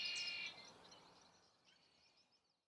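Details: Male red-winged blackbird (Agelaius phoeniceus) singing from cattails on spring breeding grounds gives a bright, harsh burst of song fading into softer high chatter over about two seconds. The song defends his territory and attracts a mate.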